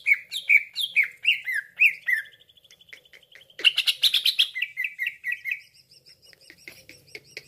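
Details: Green leafbird calls played to lure other leafbirds for trapping: bouncing slurred whistles, a thin high trill, then a dense chattering burst fading into quieter warbled notes.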